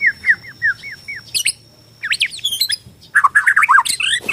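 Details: Bornean white-rumped shama giving a series of short downslurred whistles, then high sharp notes and a dense, fast burst of varied warbling and chattering.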